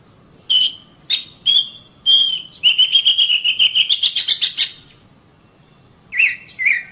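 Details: An Oriental magpie-robin sings training audio: clear, high whistled notes, then a fast rising trill of about a dozen notes, then two short scratchy phrases. No other sounds are heard.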